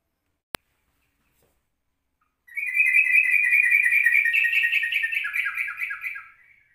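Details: Yellow-vented bulbul in a morning recording at 04:30, used as a lure for other birds: after a sharp click and a silence, a continuous rapid chattering trill of buzzy whistled notes runs about four seconds before fading.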